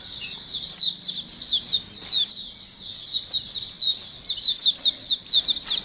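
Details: Chattering flock of white-eyes used to lure birds: continuous high, sweet, slurred twitters and quick chirps overlapping without pause, busy and energetic throughout.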